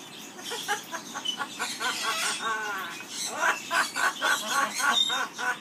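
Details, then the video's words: Aviary Amazon parrot performing its skimmeradinkadinkadink song, a fast run of short repeated chattering notes, roughly four per second, with a brief harmonic whistle in the middle. "singing skimmeradinkadinkadink song"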